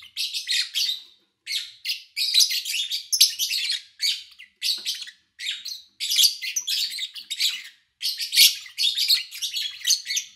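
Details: Owner's lovebirds in August 2019, recorded over three days with little engine noise: a steady stream of piercing, scratchy chirps and tweets packed into closely spaced bursts that run almost without pause.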